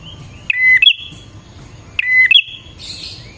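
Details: Bar-winged prinia singing energetically, used as a lure for wild prinias: two sharp phrases, each a quick high chip into a level whistle with a trailing buzzy note, spaced about a second and a half apart, then a faint hiss.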